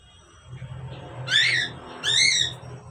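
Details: A pair of Asian pied starlings: two loud, harsh, buzzy calls with stacked bands, each about half a second long and slightly falling, separated by a short pause over a low steady hum.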